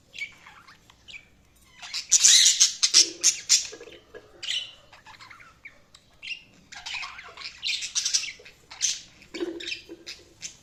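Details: Pet budgies chirping and squawking, a loud dense burst of chatter early on, then irregular scratchy notes and brief warbles.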